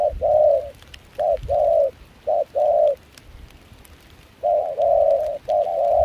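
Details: Decoy spotted dove in Kon Tum, wild-caught with a foreign-mixed voice, singing in rain and chilly wind: clear soft coo pairs, a short note leading a longer one, with a silent gap of over a second midway.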